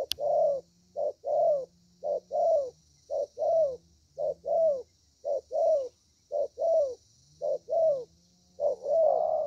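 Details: Young spotted dove singing in the Vietnamese 'thổ' style, noted for its good voice. It gives rapid, regular short-long coo pairs, each long note slightly falling, with a low engine-like hum beneath.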